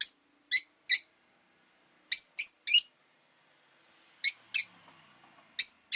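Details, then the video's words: Caged rosy-faced lovebirds, a flock of five indoors by a window in winter, utter short, high, harsh chirps in spaced pairs and triplets, about ten notes across the recording, with faint background noise. "Lovebird Chirping Sounds"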